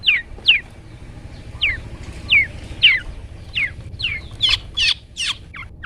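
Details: Long-tailed shrike singing 'toet toet' style for songbird training: spaced, sharply falling whistled notes, irregularly timed, becoming louder and quicker near the end with a few buzzier strokes.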